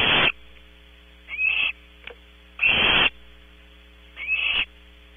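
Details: Nest-box Barn owl owlets at Audubon Starr Ranch, California: rasping hissed screeches, some starting with a brief rising note, come about every one and a half seconds. A faint click falls between them and a low mains hum runs throughout.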